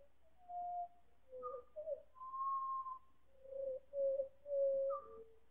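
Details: Four pied butcherbirds in a chorus, time-stretched several times into a slow, lowered version of their song. Clear, flute-like whistled notes come as separate phrases, some higher and some lower, with brief silences between them.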